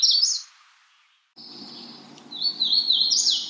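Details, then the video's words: Magnolia warbler's high slurred phrase at the outset, followed by a sustained whistled tone and a longer wavering high series over low background rumble. "Magnolia warbler Calling."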